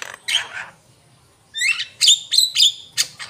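A Javan myna gives a brief run of harsh, raspy notes, then five quick whistled and squeaky phrases, loud and high-pitched, with no other clear sounds.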